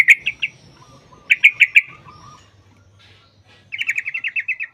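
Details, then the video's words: Long 'ropel' song of a sooty-headed bulbul for luring bulbuls to sing: two short bursts of three and five rapid notes, then a steady trill of about ten even notes. "TRUCUKAN TARUNG ROPEL PANJANG | Pancingan Trucukan agar bunyi jadikan Burung Trucuk Gacor EMOSI"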